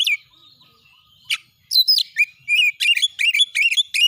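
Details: Training song of an agitated champion oriental magpie-robin (kacer) that draws other birds to fluff up and fight: thin wavering whistles, a sharp burst, then quickening bouts of repeated chirping phrases.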